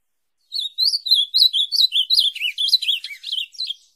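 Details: Azulão, the ultramarine grosbeak, singing as a training model for caged birds: after a short pause, a lively phrase of around fourteen quick slurred whistles, starting steady then becoming more varied and jumpy toward the close.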